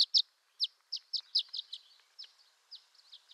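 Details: Violet-green swallow of western North America: bright high chirps, sharply slurred downward, loud clustered notes at first then fainter scattered chips trailing off.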